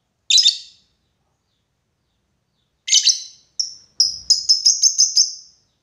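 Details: Lovebird calling to a rival, a lure of the long 'ngekek' type: two harsh isolated chirps, then a brief pause and a fast run of about six shrill, clipped notes chattering together.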